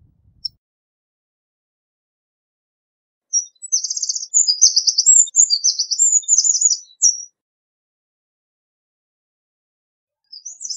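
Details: A single Eurasian wren song burst of some four seconds, shrill rattling notes and trills tumbling quickly, set between long silences, with a brief start of another at the end.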